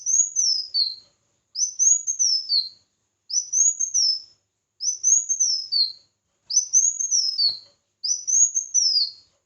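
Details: Red-whiskered bulbul in a singing contest, six repeated whistled phrases, each arching up and ending in a lower slurred note, evenly spaced about every one and a half seconds in clean silence.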